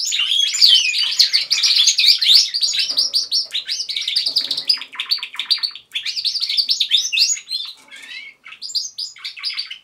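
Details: Canaries kept at home singing as a group, long rolling trills and buzzy rapid note series broken into phrases, with short gaps and softer twittering toward the end.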